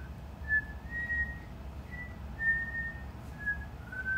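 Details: Indoor cockatiel learning a song note by note, listening first then matching pitch: short, pure whistled tones repeated with small gaps, a few ending in slight downward slides, over a low room hum.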